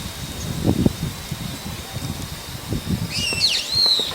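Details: Brown-eared bulbul perched on a wire in the evening: a burst of rustling and low knocking, then a single shrill, wavering squeal that dips and rises near the end.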